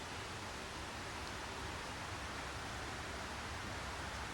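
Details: Continuous even rushing noise, like rain or running water, with no animal calls.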